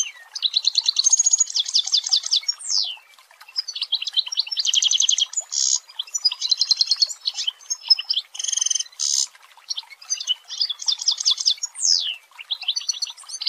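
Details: Long-tailed shrike song in dense 'tembakan rapat' style: rapid bursts of buzzy trills and clicking note series, some notes sweeping down, with brief pauses between phrases and no other sounds.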